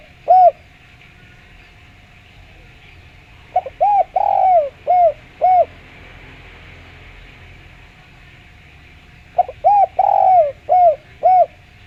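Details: Spotted dove with a clear voice, used as a lure to draw other doves into calling: low, mellow coo phrases, each a few quick rounded notes and one longer drawn-out coo, given in bursts with pauses, over a faint steady hum.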